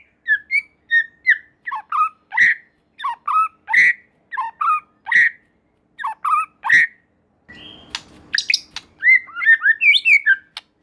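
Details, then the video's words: White-rumped shama, played to provoke a response from other shamas, repeats a short phrase of sharp whistled notes about every 0.7 seconds. A faster, more varied burst of chattering whistles follows, over brief low mechanical noise. "Murai Batu Lain Dijamin Langsung Respon dan Nyambar Bunyi, Coba Saja Putar || Voice of Murai Batu"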